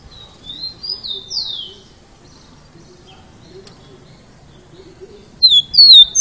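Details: Rufous-collared sparrow singing soft rising and falling whistles, then after a quiet gap a loud burst of sharp high slurred notes at the end.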